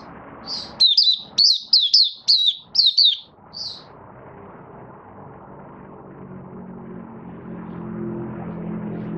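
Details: Malaysian Oriental white-eye, a kept songbird not in form, sings its opening song: about seven quick, high, slurred chirps in a row, then falls silent over steady low traffic-like rumble.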